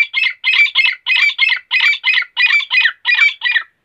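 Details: Grey francolin, known as teeter, calling in the morning: harsh, squealing notes delivered in paired doublets, about six pairs in under four seconds, steady and loud against silence.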